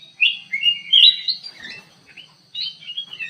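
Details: Aviary bulbul (kutilang emas) in full song: a loud, fluty warbled phrase that climbs and falls, a quiet gap, then a second softer run of whistled notes.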